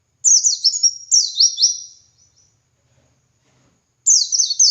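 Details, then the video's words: Training recording of a white-eye in ngalas song: two rapid strings of high, piercing twitters with falling notes, trailing off, then nearly two seconds of silence before another burst begins. "Masteran Suara Burung Pleci Gacor Ngalas Nembak Buka Paruh"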